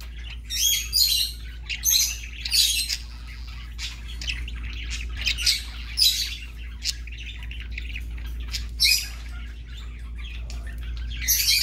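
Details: A budgerigar at a parrot rehoming centre gives bursts of scratchy, high chirps and squawks, roughly one or two each second with short pauses, over a steady low hum.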